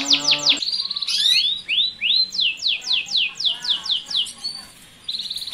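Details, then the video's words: Captive male canary singing with a female responding before mating, a breeding lure meant to speed up pairing: a run of quick descending whistled slurs, then rising sweeps and a series of falling notes, ending in a buzzy rolling trill. "Suara Kenari Kawin, Jantan Gacor Ngerek&Betina Ngleper"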